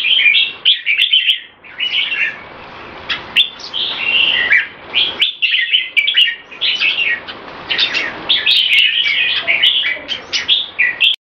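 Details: Caged red-whiskered bulbul of Olympian competition class in a speed action display, singing a fast, continuous run of bright chirping, warbled phrases with quick repeated notes and hardly any pauses.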